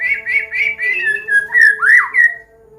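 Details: White-rumped shama of the Medan type, a combination song meant to teach young birds to sing. Clear whistled phrases wavering then rising and falling, with a steady low electrical hum underneath.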